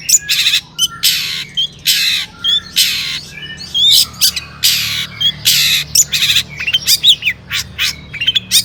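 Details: Energetic long-tailed shrike song packed with borrowed phrases, meant to excite other shrikes: loud grating squawks alternating with thin high whistles and quick twitters, irregularly spaced.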